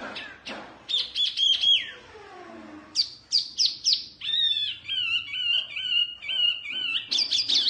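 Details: Oriental white-eye song: varied high chirps and quick rising notes, then a run of short repeated whistled phrases, with faint background noise.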